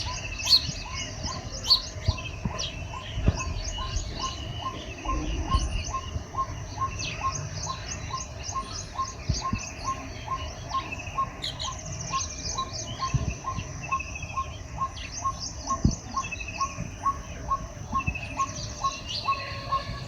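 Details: A colony of baya weavers, active after the first rains, keeps up a busy chorus of chattering, squeaky chirps with a steady low rumble behind.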